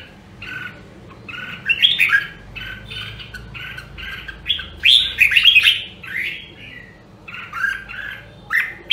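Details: Red-whiskered bulbul from Nam Đông, Huế, Vietnam, a rare kept songbird trained for contest singing: lively phrases of clear, fluty, warbled notes repeated in quick bursts with short pauses, some louder chattering flourishes, faint low room hum.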